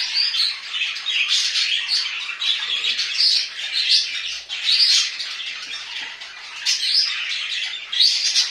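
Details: Pet budgerigars kept at home fill the air with dense, scratchy warbling chatter, high-pitched squeaks and buzzy notes overlapping continuously, with brief brighter chirps standing out every second or so.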